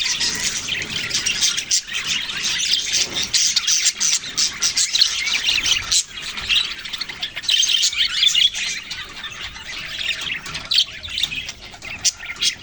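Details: Budgerigars keep up a dense, continuous chatter of high, scratchy chirps and squawks, with many overlapping voices and no pauses.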